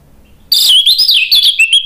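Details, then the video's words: Orange-headed thrush delivering a sudden loud phrase of rapid, warbling whistles that rise and dip in quick succession, a persistently singing bird used to stir others into song. "ANIS MERAH GACOR memancing EMOSI jadi NYAUT BUNYI NGEPLONG"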